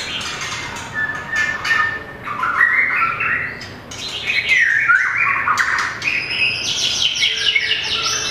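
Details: Competition singing by a mini White-rumped shama with a very long tail: long rich warbling phrases, swooping whistles and fast high trills, with brief pauses between them.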